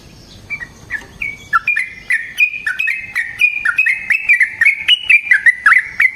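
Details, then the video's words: Sooty-headed bulbul in energetic chattering, rolling song, used as a lure to provoke other bulbuls: sweet whistled notes building into a quick bubbling run of rising and falling phrases. "Burung TRUCUKAN GACOR Ropel Panjang Cocok untuk PANCINGAN Trucuk"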